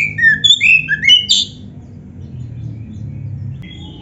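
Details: Oriental magpie-robin, the black-breasted form, played to coax caged birds into singing; a short burst of clear whistled phrases at varied pitches in the first second and a half, then near silence with a faint whistle near the end.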